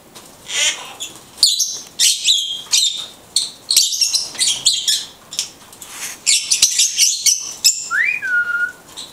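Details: Blue-headed conure, a pet parrot, talking: a run of short raspy, chattering syllables in bursts, mostly high and noisy, with a clear whistled note sliding down near the end.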